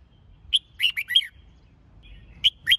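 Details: Red-whiskered bulbul singing for competition training: a brisk phrase of three or four clear, swooping whistles, then two more notes after a short pause.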